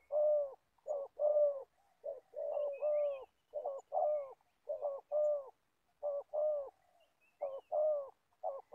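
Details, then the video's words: In Gia Lai, an old spotted dove used as a trapping decoy repeats full, low cooing phrases about once a second, pairing a clipped note with a longer rounded one. Faint high bird chirps are also heard. "Bẩy cu gáy. Clip 65.. mồi già bắt bổi thổ tốt tiếng"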